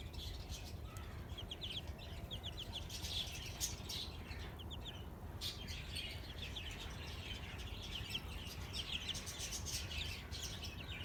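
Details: Newly hatched desi chickens, chicks that hatched after 15 days, peeping in rapid series of short, high downward chirps, several birds overlapping through the clip over a steady low rumble of background noise.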